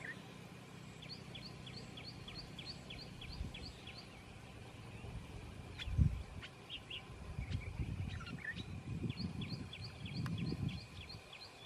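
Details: White-browed wagtail at Thommana Kole Wetlands giving a rapid series of high, thin, clipped notes in two bursts, over a low rumble of wind and distant noise.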